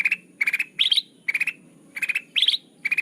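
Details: Bulbul lure sound for trapping, named as sooty-headed bulbul. Clipped bursts of rapid notes come with short gaps between them, and two of the bursts rise to a higher, ringing pitch.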